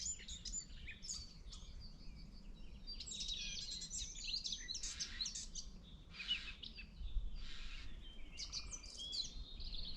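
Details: Garden warbler, possibly newly arrived on spring migration, singing in forest in April: a rushed, chaotic run of scratchy warbled and chirping notes with no pauses and no fluted ending, over steady low background rumble.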